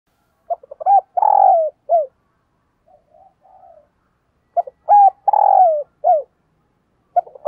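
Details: Spotted dove used as a decoy, cooing to lure wild doves. A phrase of short stuttering notes swells into a long, drawn, hollow coo and ends on a clipped note. Softer coos fall between phrases, which repeat about every four seconds.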